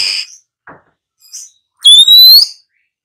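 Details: Female Oriental magpie-robin, a kept bird, calling to stir newly caught birds into song. Short scratchy notes and faint ticks lead into a loud, clear, rising whistle with bright overtones lasting about half a second.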